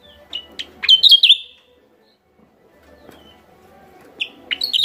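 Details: Lure sound of a Javan myna from West Java: quick sharp notes give way to loud harsh squawking chatter; a second phrase begins near the end.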